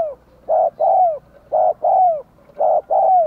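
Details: Decoy spotted dove calling to lure wild doves and make them answer, with three paired coos, each a clipped first note then a longer falling second note, in a steady rhythm.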